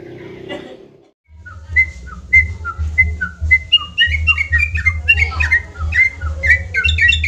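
Yellow-vented Bulbul giving a lively run of short, clear whistled notes that rise and fall quickly, over a steady low hum and a brief noisy start.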